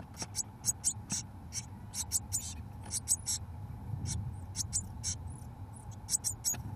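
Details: Seventeen-day-old Eurasian blue tit young in a nestbox, fed mealworms by both parents: rapid, evenly scattered high hissing calls, dozens of brief bursts across the stretch, with soft low rumble beneath.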